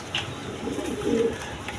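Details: Farm pigeons with eggs and chicks, one low rolling coo swelling near the end, with faint background noise.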